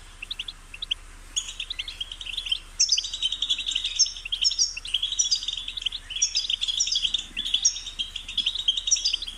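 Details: A goldfinch sings a long, jangling run of twittered notes and sharp high chips that starts sparse, then becomes steady and dense over nine seconds; a low steady hum sits underneath.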